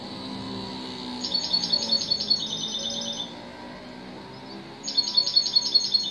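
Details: Goldfinch song: two bursts of high, pulsed, trilling phrases, each lasting about a second, separated by a quiet gap over a steady low background hum.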